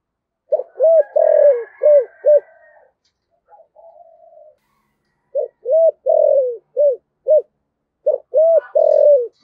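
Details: Spotted dove lure call: repeated phrases of five deep, throaty coos with a long falling third note, a pause of quiet murmuring between them, a third phrase beginning at the end.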